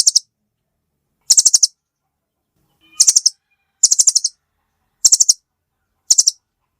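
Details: High, sharp chattering from a velvet-fronted nuthatch: six short bursts of four to six rapid ticking notes, spaced roughly a second apart, against a quiet background.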